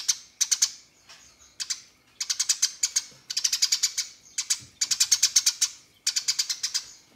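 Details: House sparrow in a fighting mood calls out to draw rivals into singing, giving repeated bursts of quick, sharp, high-pitched chirps, each burst lasting under a second, with brief gaps between.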